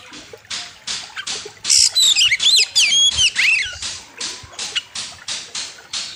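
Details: Master recording of an oriental magpie-robin for bird training, lively and packed with varied phrases. Rapid swooping whistled notes in the middle are framed by a regular series of short harsh bursts roughly twice a second.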